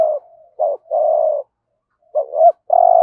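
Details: 'Hạp bổi'-voiced spotted dove decoy calling to attract wild doves. A long coo fades into a murmur, then a short note and a steady coo, and after a pause a looped double note leads into another long coo.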